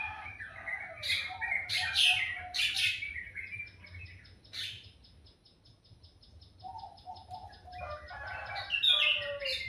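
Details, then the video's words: Morning bird chorus, melodious: loud bursts of chirps and twitters, a quiet stretch carrying a thin, rapid ticking trill, then renewed warbling and chirping near the end. "Suara burung dipagi hari sangat merdu"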